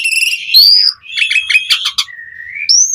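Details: Vigorous song of jalak suren, the Asian pied starling, as a lure for other starlings: a rising whistle, a buzzy fluttering passage, a flat clear whistle, then a sudden high whistled note.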